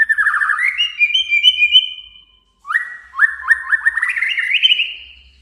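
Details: Male white-rumped shama calling a rival to anger it into singing: a long warbled whistle stepping upward, a brief pause, then a run of quick repeated rising whistled notes.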